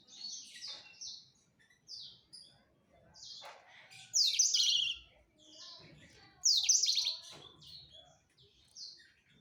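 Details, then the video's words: Courting male black-throated canary directing song at a female, delivered as short separated phrases of high chirps and bright buzzy trills, two louder bursts near the middle and end, with soft knocks between phrases. "Ocehan Blacstroat Male merayu Burung Female"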